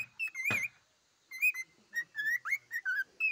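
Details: Pet cockatiel song: a loud click, a pause, then a run of clear whistles, some steady, some dipping or wavering, delivered in quick bursts.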